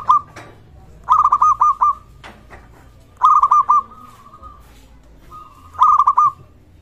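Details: Local Indonesian zebra dove in full voice, used as a lure to prompt other zebra doves to call and to raise arousal: four bursts of five or six rapid, bubbling cooing notes, some trailing into a steady hum, in a quiet background.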